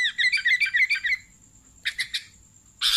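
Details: Sooty-headed bulbul (kutilang) singing vigorously: a rapid run of bubbly chirped notes for about a second, a pause, then three short bursts and a loud harsh chirp at the end, over a steady high electronic whine.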